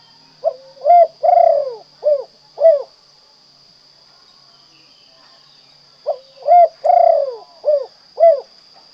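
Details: Two repeated song phrases from a spotted dove in kuk 2 style, each a short opening note, a rising coo, a long vibrating coo and two short kuk notes, separated by a few seconds of quiet. A thin constant whine is audible.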